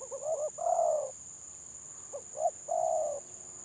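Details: Spotted dove with a stuttering 'gagap' delivery, village bird compared with another: a few soft stammered notes, a long smooth coo, a pause, then a short stutter and another drawn-out coo; high hum persists.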